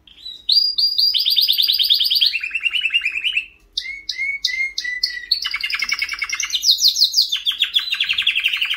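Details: Continuous song of a white canary: high rapid trills, a lower rolling tour, separate sharp whistled notes repeated about three per second, then dense fast buzzy trills sliding downward; no other noises.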